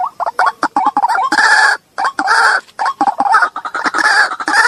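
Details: Lure recording of white-breasted waterhen, played to make hidden birds come out and rush in agitated: short clucking notes give way to longer loud, rasping croaks in pulsing bursts with brief gaps.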